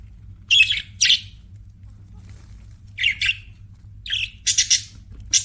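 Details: Budgies chirping as pets, giving short harsh chirps in pairs and small clusters separated by quiet gaps, with a quick triple chirp near the end.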